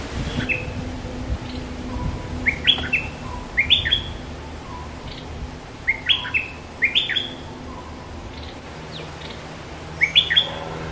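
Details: A Scarlet-backed flowerpecker, during pairing and nest-building, gives sharp, high, slurred chip notes in irregular bursts of two or three, over a faint low hum.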